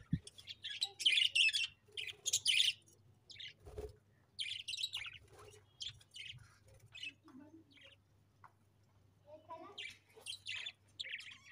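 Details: Pet budgies chirp in loud scratchy bursts in the first three seconds, then give intermittent shorter twitters and soft warbles with pauses, over a faint steady hum and an occasional low knock.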